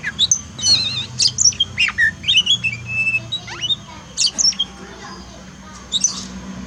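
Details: Caged Oriental magpie-robin kept as a pet, trained after moulting because it sings little; varied bright song of quick whistles, squeaky trills and chattering notes in short bursts, with a low hum underneath.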